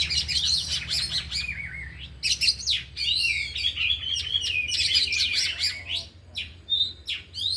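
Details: Oriental magpie-robins, four of them, training in the afternoon and showing their isian: fast rich song of whistled slides, clicks and trills, with brief pauses and a clear pure whistle near the end.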